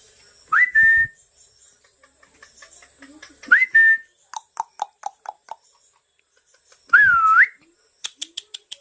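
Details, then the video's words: Talking parrot: three loud whistled notes, each sliding up and then levelling off, the last one dipping and rising, about three seconds apart. Between them come soft clicks and short repeated ticking notes, with a steady faint high hiss throughout. "Tohking Parrot"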